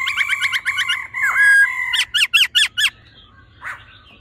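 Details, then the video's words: Laughingthrush, a female and a male, singing in a mature wild-type voice: loud clear whistled phrases rapidly repeated, a long level whistle, then several steep rising-falling notes, ending in a faint rustle. "khướu mái ro +trống hót giọng già rừng"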